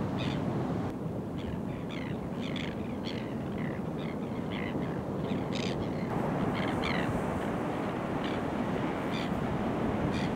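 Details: Courting Crested Terns on the coast at Kurnell, New South Wales, Australia, early September 2020: a busy run of grating, scratchy calls, several birds overlapping roughly three per second, against a constant roar of waves.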